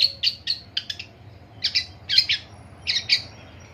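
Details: Loud grating calls from a Long-tailed shrike in the morning: clusters of two or three harsh, broad notes separated by brief pauses.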